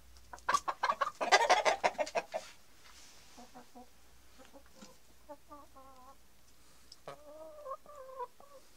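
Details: Denizli rooster and hens during mating: a burst of loud, broadband flapping and scuffling sounds at the start, then a run of short, harmonic clucks and cackles in quick, uneven series.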